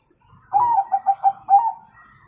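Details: Master song of a Bangkok-type zebra dove with the prized 'kung' tone, meant to teach young birds. A longer coo leads into a stuttering run of short, mellow notes, ending in a drawn-out final coo.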